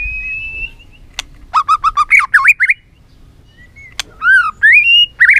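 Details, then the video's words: White-rumped shama urged into many-voiced singing: a held whistle, a sharp click, then a fast series of short stacked notes and upslurred whistles after a brief pause. "Kích Chòe lửa hót nhiều giọng"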